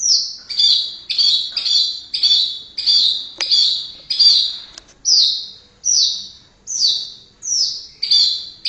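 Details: White-rumped shama from Indonesia repeating loud, high, falling whistled notes, rapid at first then slowing to about one note every three quarters of a second.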